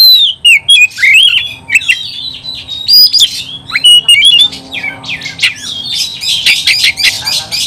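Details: Oriental magpie-robin, caged and singing in an aggressive fighting mood: loud varied whistled phrases that rise and fall, mixed with sharp chirps and harsh scratchy bursts growing denser toward the end, over a faint low hum.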